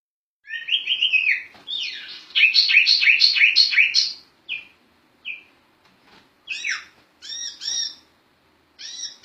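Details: Sirtu bird singing in the lively ngerol style, used as a master for tutoring other songbirds. Bright, varied whistled and chirping phrases, some rising and falling, with a fast rolling trill run, then short separated chirps with silent gaps.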